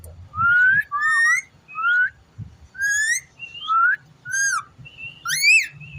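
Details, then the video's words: Ringneck parrot kept indoors giving evenly spaced whistled phrases, rising slurs and harmonic upswept notes about every half second to second, with faint low hum and a thump at the start. "Amazing parrot talking funny clips"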